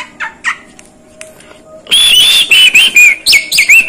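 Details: Mimicking Asian pied starling (jalak kebo): soft chips and a faint steady tone, then a loud run of piercing warbled whistles and squeaky notes for two seconds.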